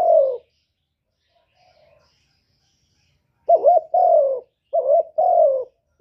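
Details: Spotted dove used as a lure, singing a clipped coo, then after a pause two quick pairs of coos, short wobbling note followed by longer falling one.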